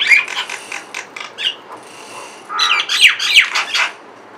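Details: Two mynas sitting on a window grill and making various calls: harsh, rasping squawks and clicking chatter in irregular bursts, a brief pause midway, then a louder cluster of grating notes, over a steady low hum.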